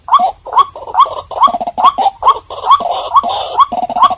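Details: Lure recording of a White-breasted waterhen: a steady series of about ten rough, grunting croaks, each ending in a short rising squawk, spaced roughly half a second apart.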